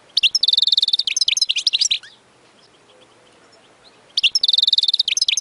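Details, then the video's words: European goldfinch singing a tutor song for young birds: a fast, twittering phrase with a steady buzzy trill in the middle, a two-second quiet pause, then the same lively jingling resumes. "اقوى تغريد لتسميع فراخ الحسون خالي من الاخطاء"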